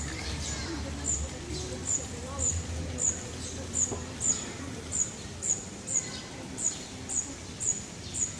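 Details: High, piercing chirps from birds in Vitoria-Gasteiz's Parque de la Florida, repeated about twice a second in a long even series, with low urban rumble beneath.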